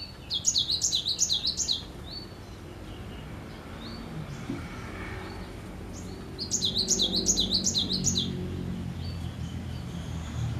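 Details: Cinereous tit in full, active song gives bright, ringing phrases of repeated two-note figures in two bursts a few seconds apart, over a low rumbling background.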